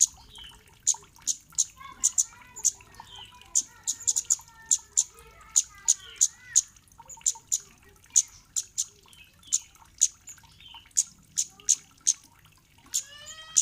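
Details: Sharp, high, clicking 'cit' calls of a kemade, used as a lure so other kemade reply and sing, repeated rapidly and unevenly, mixed with softer rising and falling twittered notes and a short upward slurred phrase near the end.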